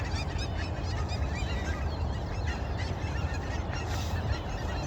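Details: A flock of Canada geese at sunrise keeps up a dense, overlapping chorus of nasal honks over a steady low rumble, possibly wind.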